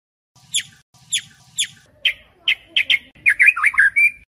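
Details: White-rumped shama (murai batu) singing at night, recorded as a lure to train Indonesian competition songbirds: three sharp descending chirps, then quick slurred notes and warbling whistles.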